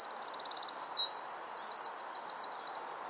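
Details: Wren singing in nesting season, probably to its mate: rapid high ticking trill, a brief slurred note, then another quick trill series and sliding whistles, all rattling along over a low hiss.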